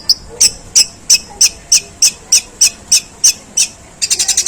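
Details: Long-tailed shrike mimicking sparrows in a long, rough song: evenly spaced harsh high chirps about three per second, ending in a rapid stuttering cluster of five notes.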